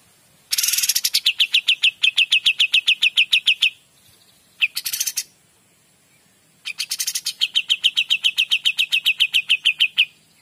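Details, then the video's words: Kapas tembak, or cream-vented bulbul, singing 'gacor dor': three phrases, each starting with a scratchy burst followed by a rapid string of ringing, identical notes; the middle phrase is brief, the outer two run several seconds. "KAPAS TEMBAK GACOR DOR"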